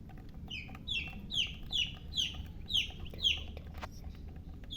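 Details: Baby chicks giving a regular series of loud, high peeps that slide downward, about two per second, tapering to softer notes near the end, over low background noise.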